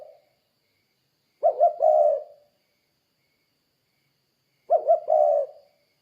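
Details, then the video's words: Spotted dove coos as a lure to get other doves calling: the tail of one phrase, then two full phrases about three seconds apart, each a pair of brief coos leading into a longer, mellow note. "Suara Burung Tekukur Gacor Kuk 2 Untuk Pancingan Derkuku Biar Cepat Bunyi"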